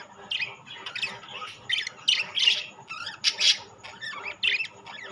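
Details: Budgerigars of rainbow and classic varieties keep up lively, raspy warbling chatter, harsh squawks mixed with quick twittering notes in uneven bursts, plus a quiet electrical hum.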